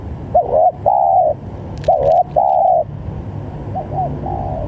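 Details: Spotted dove calling, used to provoke rival doves into calling: soft, hollow cooing phrases, a short double coo followed by a longer drawn-out note, repeated three times over steady low background noise.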